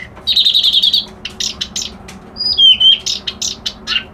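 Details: Song of a reed warbler: a rapid buzzy trill opens, followed by scattered scratchy notes and a clear, drawn-out whistle that slides downward, then more harsh chips; a faint hum lies underneath.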